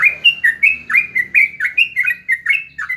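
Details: Sooty-headed bulbul, locally called jogjog or trucuk, delivering quick bouncy whistled phrases, each note dipping then rising, about three or four per second in a steady chattering stream.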